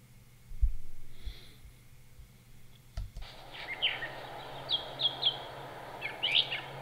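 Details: A male Brown Thrasher in a park in Cabarrus County, North Carolina, on 13 March 2017 quietly mouths his song, a few brief, scratchy high notes in quick pairs over the last three seconds, with steady hiss and handling thumps.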